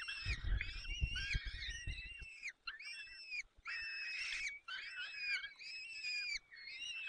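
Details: At a Peregrine falcon nest in the Barycz Valley, 30 April 2020, 14:28, the male feeds chicks with prey. Overlapping thin, wavering whines come in bursts with short gaps, with a low rumbling noise during the opening two seconds.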